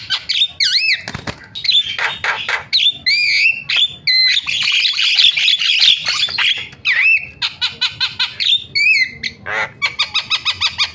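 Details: Starling lure recording used to provoke reluctant starlings into calling: dense run of harsh squawks, rapid chattering bursts and bright rising and falling whistles, with a sustained rasping stretch in the middle and quick clicking trills near the end.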